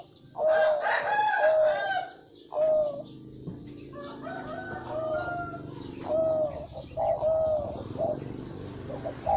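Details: Zebra dove song: a series of purring coo phrases, some loud and some softer, spread over several seconds, with other bird chirps and background noise around them.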